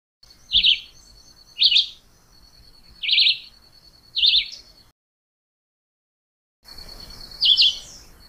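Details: Chivi vireo delivering a quick run of four short, slurred, warbling phrases about a second apart, then a pause and one more phrase, with a continuous thin high tone in the background.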